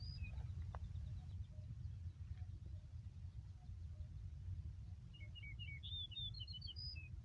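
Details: Yellow-breasted bunting on a green meadow in Yakutsk, recorded 4 June 2020: the tail of one phrase, a quiet gap, then a full phrase of sweet whistled notes stepping upward, against low continuous rumble.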